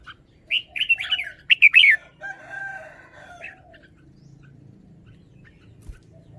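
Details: Caged red-whiskered bulbul song phrase: a short run of rich, bubbly warbled notes, then fainter drawn-out whistled tones trailing into quiet background.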